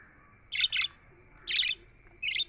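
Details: Budgerigar chirping, offered as company for lonely birds: clear high buzzy chirps, a double note, then a single and a closing chirp, over near silence.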